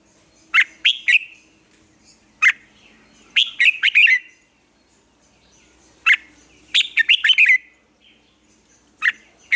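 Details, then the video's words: Red-whiskered bulbul morning training song; repeated phrases of sharp, bright chirps, single notes followed by quick clusters of three or four, recurring every few seconds over a faint low hum. "Luyện chào mào hót sáng, hót hay"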